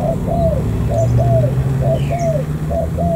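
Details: Local wild-caught spotted dove from An Giang near the border gate, Vietnam, repeating paired arched coos at an even pace, with a low engine hum and one thin descending whistle from another bird.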